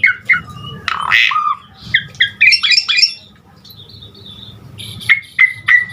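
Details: Full isian lure song of an Asian pied starling: rasping squawks and quick chattering notes in bursts, a quiet pause with soft twitters, then three evenly spaced sharp whistles over a low hum.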